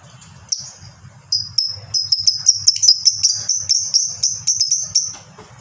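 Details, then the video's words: Fighter lovebird with ngekek panjang, a long chattering song meant to prompt other lovebirds to sing: rapid high-pitched ticking notes, about two or three a second, building into a sustained shrill chatter, with low background hum. "masteran burung lovebird ini bisa membuat lovebird manapun ikut bunyi"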